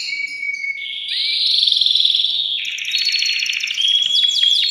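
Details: Excited male canary singing to stimulate a female for mating: a thin steady whistle, rising into dense buzzy trills, then fast high repeated notes and sweeping downward whistles.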